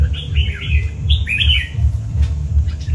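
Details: Brief song from a red-whiskered bulbul called chào mào cọp: a few fluty, slurred whistles in the first half, then quieter, over a steady low pulsing rhythm.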